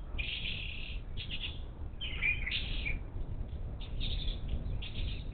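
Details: Wild monk parakeets visiting a bird feeder on the outskirts of Houston, Texas, on the Gulf Coast, 10 March 2021: harsh, raspy squawks in short bursts, pausing between groups, over low steady background rumble.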